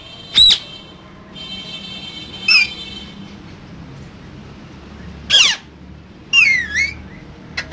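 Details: Green parrots, two of them, caged: scattered short whistles and squeaky rasping calls with a long, faint, humming tone between them, several seconds apart.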